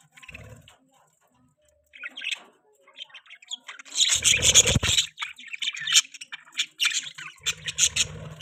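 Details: Pet budgerigar chirping: after a few soft early notes, a dense burst of rapid, high, scratchy chirps and warbles runs almost continuously through the second half, with brief low sounds in between.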